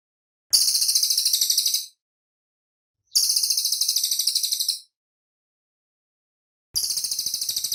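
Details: Cililin bird in a clear master recording for cage-bird training. It gives high, fast, pulsed trills lasting over a second each, about three bursts spaced by quiet gaps.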